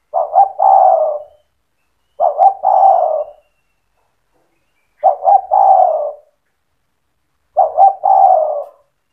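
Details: Spotted dove in cetretan song, meant to provoke other doves to join in: four evenly paced husky coo phrases roughly every two and a half seconds, each a quick double note then a longer mellow coo.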